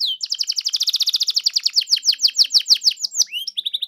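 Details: Canary singing to prompt a caged canary to reply: a rapid run of bright repeated notes that slows into louder downswept chirps, then a short rising whistle and quick high notes.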